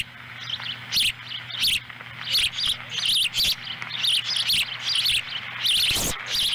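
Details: Osprey family at their nest in Lolo, Montana, July 2017, during a fish delivery by the female. Quick high chirps come in uneven clusters, with a faint steady hum underneath.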